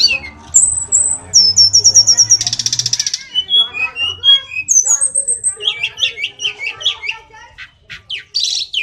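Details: An Indonesian hill blue flycatcher, known locally as sulingan gunung or tledekan, singing energetically. It gives thin high whistles and sweet slurred phrases, then a rapid buzzy trill and scattered chirps. A soft low rumble runs underneath.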